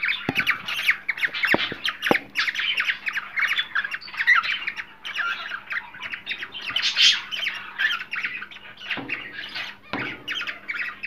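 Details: Cockatiels chatter almost nonstop in harsh squawks and shrill whistled chirps, said to stimulate cockatiels to mate, with a few sharp knocks and a low steady hum behind.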